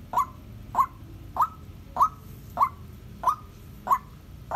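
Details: Loud, regular calls from a 7.5-month-old female white-breasted waterhen kept as a decoy, calling solo: clear hooked notes that sweep up and level off, repeated steadily about every 0.65 seconds, eight in all.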